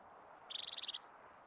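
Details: A single half-second purring trill from a crested tit in Scottish Caledonian pine forest, a quick run of about a dozen high clicking notes, then quiet woodland hiss.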